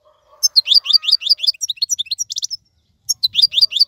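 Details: European goldfinch song intended for young birds to learn: after a short quiet start come rhythmic high tinkling chirps, a brief pause, then the twittering picks up again.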